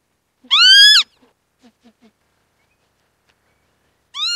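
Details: Northern lapwing uttering a half-second nasal, whining call note, followed by several faint soft ticks and a long pause before a second similar wheezy call begins.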